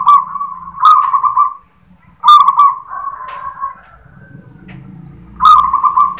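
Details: Local zebra dove singing its prized "klar ketek kuk" song style, opening with a "klar" note: strong purring, trilled coos near one pitch, bursts at about 1, 2.3 and 5.5 seconds with softer rolling coos between.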